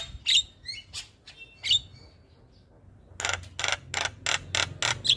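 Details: Javan myna calling in the morning to draw responses from other mynas; a few bright whistled notes with gaps of quiet, followed by a string of rough, noisy chattering bursts.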